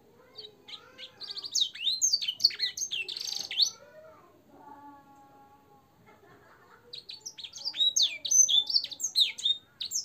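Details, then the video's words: Canary tutor recording in fancy blackthroat and sanger fill style: bursts of varied high chirps and slurred whistles, a quieter stretch of softer lower warbling notes, then the bright high phrases resume. "suara burung kenari gacor isian blackthroat dan sanger untuk masteran"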